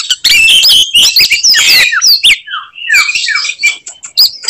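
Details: Fighting song of an Oriental magpie-robin meant to rile rivals: dense scratchy warbling and sharp whistles, then a series of clear descending slurred notes and scattered high chips.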